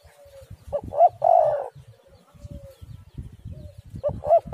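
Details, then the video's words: Spotted dove, played as a lure to make other doves call: a soft low coo note followed by a louder, longer hoarse coo, then another short coo phrase starting, over low background rumble. "tekukur super gacor suara burung derkuku"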